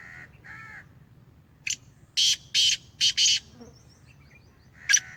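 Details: Home-bred caged Black francolin, Sheedi strain, calling with a run of harsh, rasping bursts in quick succession, preceded by softer tonal notes from another bird and followed by a faint thin whistle and one more grating note.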